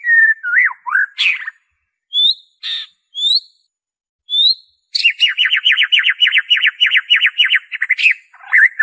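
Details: White-rumped shama (murai batu) pure song without mimicry, played to prompt caged birds to sing: looping whistled slurs, separate short rising notes, then a fast, steady run of repeated trilled notes lasting several seconds.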